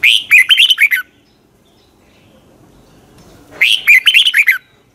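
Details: Red-whiskered bulbul morning song in the long double twisted style, used as a decoy to train other birds: two quick, chopped, whistling phrases of several notes each, with about two and a half seconds of near silence between.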